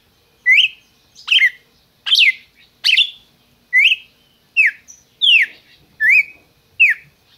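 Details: Captive red-crested cardinal in Brazil, bred by a licensed keeper, singing a steady series of clear whistled phrases, each a bright note swooping up or down, repeated roughly every three quarters of a second.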